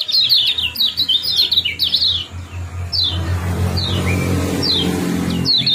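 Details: Kecial kuning, the lemon-bellied white-eye, with ciak-ciak and jos calls meant to trigger breeding condition: a rapid dense run of high, squeaky chirps, then a few scattered notes over a rumbling background.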